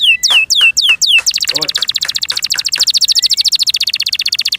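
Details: Canary kept in captivity sings a series of loud downward-slurred whistles, then breaks into a long, rapid, evenly paced high trill that continues steadily to the end; a man's voice is faintly audible.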